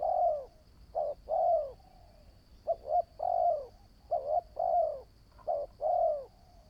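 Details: Newly trained spotted dove decoy bird for trapping, cooing steadily: about five phrases, most with one or two short hooted notes leading into a longer, slightly falling coo, repeated every second or so.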